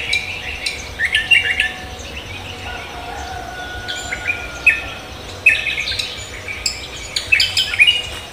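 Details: Cucak kombo singing lively in the morning: short bright chirps and whistled notes in scattered bursts, with a long thin level whistle mid-clip and other birds chirping around in an outdoor setting.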